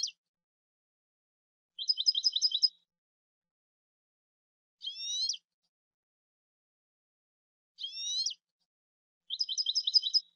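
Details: European goldfinch song phrases from a CD recording: rapid ticking trills alternating with short sweeping buzzy notes, each phrase about a second long and separated by pauses of two seconds, no other sounds.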